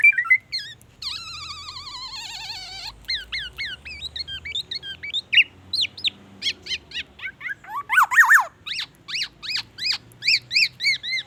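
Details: Black-naped oriole song loaded with white-rumped shama phrases. A short whistle leads into a long, quavering trill. A chain of hooked notes follows, then a mixed jumble and steady, evenly spaced sharp notes toward the end.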